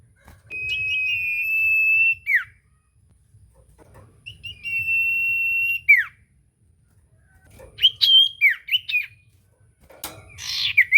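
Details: Common iora song for coaxing a silent bird to sing: two drawn-out, pure, level whistles, each closing with a steep downward slur, followed by shorter looping whistled notes.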